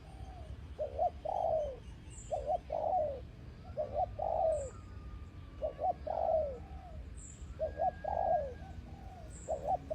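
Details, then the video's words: Spotted dove used as a ground decoy bird, giving repeated low cooing phrases of two or three notes, each ending in a longer falling coo, roughly every two seconds, with faint high chirps of other birds in the background. "Cu gáy mồi đất"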